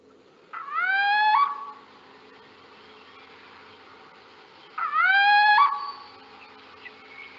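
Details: A Little Owl in France gives its typical song, two drawn-out, nasal mewing calls that rise and then hold level, about four seconds apart, over a faint steady hum.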